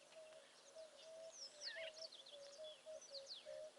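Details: Village weavers making a racket almost non-stop at a waterhole in the bush with impala nearby, in March: busy scratchy chatter of buzzy squeaks and rasping notes, a steady low whistled note repeating beneath.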